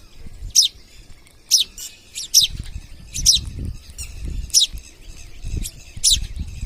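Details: Harsh high screeches from wild parrots at a home, about seven calls roughly one per second, each short and grating, with soft low thumps and knocks beneath.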